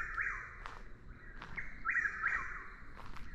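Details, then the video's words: Nonstop calling of a Chuck-will's-widow, vocal under certain light conditions: quick, whistled phrases follow one another closely, with the rising-falling accented notes standing out over a faint constant high drone. "Sounds of Nature, Chuck-will's-widow | Commonly mis-identified as a Whip-poor-will | Bird Calls"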